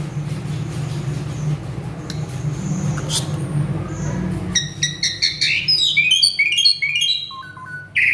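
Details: Agitated male Asian pied starling in full mimicry song: a low steady hum fills the first half, then bright whistled notes, rapid chirps and rising sweeps burst in, followed by a spoken word.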